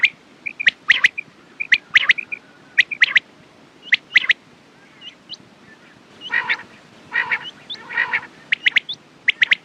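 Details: Quail calls mixed with quick clipped notes and soft chirps early on, then a run of rough buzzy bursts interleaved with sharp notes near the end.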